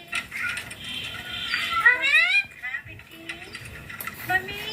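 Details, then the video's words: Talking pet ringneck green parrot: a single strong, rising harmonic phrase about half a second long in the middle, with soft scattered squeaks and indoor background noise around it. "My ringneck green parrot taking"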